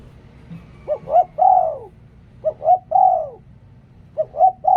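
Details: Spotted dove kept as a decoy bird, cooing in three phrases, each two short rising notes followed by a longer drawn-out coo that falls away at the end; a quiet low background hum.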